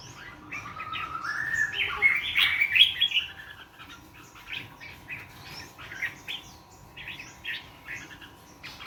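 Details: Wild bird singing in the morning, a rising whistled run that breaks into a burst of rapid, jumbled chirps, followed by scattered shorter twittering notes, over a steady low background hum.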